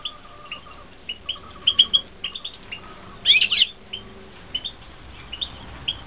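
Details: In a 2016 captive breeding setup, European goldfinches chatter in quick, high chirps, building to a loud tangled burst of twittering mid-way before thinning to scattered tweets.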